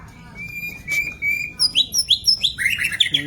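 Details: White-rumped shama song, used as training material for captive birds: a long steady whistle near the start, then a fast run of bright, varied, rising and falling notes with sharp high chips, over a low hum.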